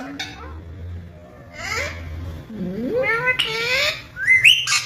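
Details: Caged rose-ringed parakeet talking: speech-like phrases with wavering, harmonic tones that slide up and down, then sharp squeaky rising notes near the end, over a faint low hum.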